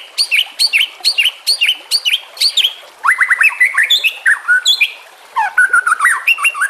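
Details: White-rumped shama singing on a training recording for other shamas, with natural sounds and gurgling water: evenly spaced high chip-like notes, then a fast series of rising whistles and varied slurred phrases.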